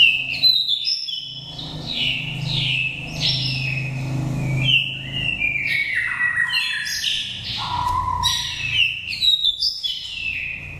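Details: Oriental magpie-robin of wild Dak Lak, Vietnam stock, five moults, giving lure song: a continuous run of varied whistles, slurred rising and falling notes and harsher squawky phrases over a steady low drone.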